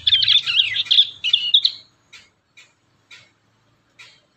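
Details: Practising young prinia, a natural recording: a dense high twittering phrase of under two seconds, then four short separate chirps spaced about half a second apart in quiet surroundings.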